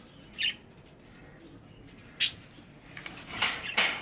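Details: Budgerigars showing affection to each other, giving short, sharp chirps, scattered irregularly and growing busier toward the end.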